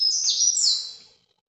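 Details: Brief Paraná vinte vinte phrase from a breeder's ultramarine grosbeak, recorded live: a single very high, dense warble lasting about one second, then quiet.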